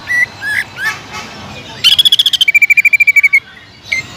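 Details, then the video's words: Greater green leafbird in spirited song used to lure others: a few scattered slurred notes, then a fast rattling trill that drops from a higher to a lower pitch. "BEARAPI API...!!!TEMBAKAN PEDAS CUCAK IJO GACOR BUAT MANCING CUCAK IJO LAIN AGAR JAMTROK"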